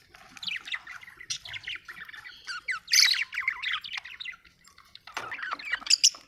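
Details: Budgerigar, an Australian bird, chirping happily: fast scratchy warbling with squawky rising notes, a louder burst midway and a brief pause before more chatter.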